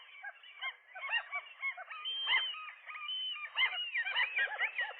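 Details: A morning nest dispute in which a gull pair drives off a lone gull, perhaps a female, trying to claim their nest; dense, overlapping, arched yelps and long rising wails rise into a busy chorus.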